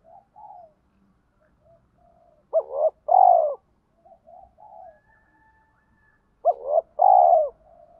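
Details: Spotted dove cooing in the thổ pha đồng voice style, used to lure wild doves: two three-part phrases about four seconds apart, each a sharp rising note, a swelling second note, then a long drawn-out coo, with faint soft murmurs between.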